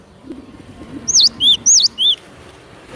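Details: Gelatik batu, the cinereous tit, used as a trapping lure: a short run of four clear whistles alternating high and lower pitch over a low background hum.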